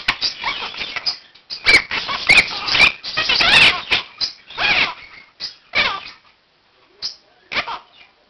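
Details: Pet one-year-old Quaker parakeet indoors at 7 am, giving its morning wake-up call and practising learned words and phrases while other room birds join in; harsh, raspy bursts of chatter mixed with brief whistled chirps, separated by short pauses.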